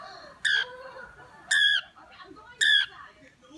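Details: Pet cockatiel calling three times, each a loud, clear, harmonic note repeated about once a second, with faint murmuring between calls.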